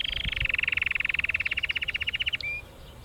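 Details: Canary singing in Mesaria village on Santorini: a fast, even trill of rapid high notes, about three per second... repeated steadily for over two seconds at a slightly falling pitch, ending with a short clear whistle; faint low rumbling underneath.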